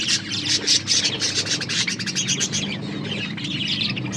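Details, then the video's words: A group of Australian parrots, budgerigars, chirping while eating corn; dense, constant high twittering with rapid pulsed notes over a steady low hum. "Australian parrots eating corn birds chirping sounds"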